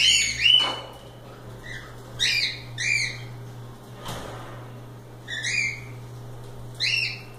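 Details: Free cockatiels at play produce scattered arched, bright whistled chirps, a quick pair near the start, then a double call around two to three seconds and later ones, with one sharp click and a constant low hum behind.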